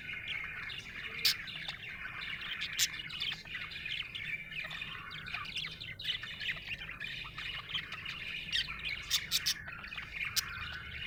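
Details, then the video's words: Happy budgerigar chirping: a dense, continuous chatter of quick high twittering notes and short squawky chips, running without pause, over a faint low background hum. "Happy budgie chirping sound"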